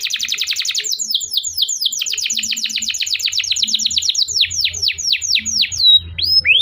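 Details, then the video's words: Long canary song played to encourage learning young canaries and ones that stopped singing; a tight trill loosens into a sequence of crisp descending chirps, slowing toward sweeping whistled slurs, with faint low hum beneath. "kenari gacor panjang Cuit Cuit EMOSI, Pancingan Kenari Paud Belajar Bunyi, terapi AMPUH Kenari MACET"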